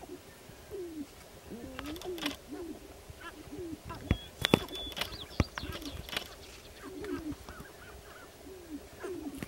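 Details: Lek of displaying sharp-tailed grouse in Northern Wisconsin, April 29, 2021: several birds giving overlapping low falling coos, mixed with sharp clicks, high whistled notes and steady background noise.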